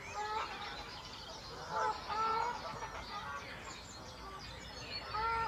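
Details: In spring, Canada geese give nasal two-note honks that rise and fall, several overlapping at irregular intervals over a soft background of other birds.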